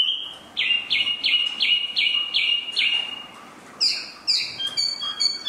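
Spot-throated babbler: a held whistle, then seven quick, clear downslurred notes, then a few higher, sharper falling notes. A faint hiss lies behind.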